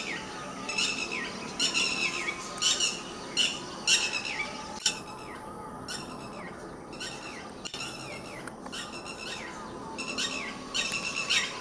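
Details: A red-wattled lapwing fighting with dogs gives loud, harsh, strident calls in quick bursts about every half second to second, over a steady background hiss.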